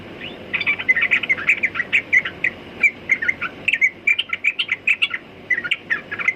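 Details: Sooty-headed bulbul delivering a long, busy stream of rapid chirps and warbled notes, tumbling phrases with brief pauses, over quiet background hiss.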